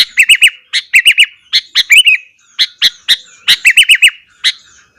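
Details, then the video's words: In the morning a sooty-headed bulbul sings hard to stir other bulbuls, delivering clusters of three or four quick liquid chirps alternating with single sharp notes, repeated steadily without pause. "burung kutilang gacor kesetanan yakin bikin tilang lain langsung naik emosi"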